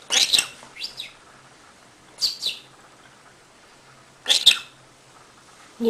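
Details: Pet conure taking a bath in a bathroom sink, chattering nonstop: clusters of sharp, high chirps and rasping chitters in quick pairs, separated by short pauses, with a soft voice at the end.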